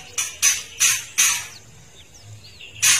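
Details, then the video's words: Female Oriental magpie-robin giving its rasping 'kretekan' call, used to lure and agitate males into singing: harsh broadband bursts, four in quick succession then one more after a pause, with faint thin whistled slurs between. "kretekan murai batu betina trotol menaikkan emosi murai batu"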